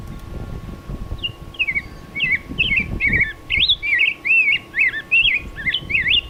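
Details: Rose-breasted Grosbeak, likely a reference recording from Cornell rather than the male seen at a backyard suet feeder, sings a rich, sweet warble of quick rising and falling whistled notes, robin-like but smoother, over a low rumble and faint hum.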